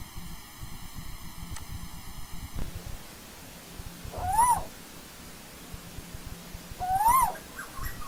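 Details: Asian koel in old-growth forest: two loud whistled notes a few seconds apart, each rising then dipping at the end. The opening seconds hold a steady, buzzy, banded tone before the bird calls.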